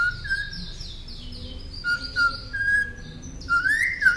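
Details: Northern mockingbird song for training caged songbirds: soft clear whistles held on a steady pitch, a few short slurred notes, ending in a brighter rising whistle, with faint high chatter above.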